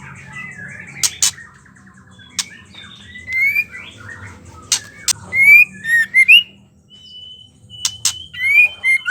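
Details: Ketrekan of a female white-rumped shama, used to rouse male birds to sing: scattered sharp clicks, then short upslurred whistles and a series of rapid chirps near the end, over a low background hum.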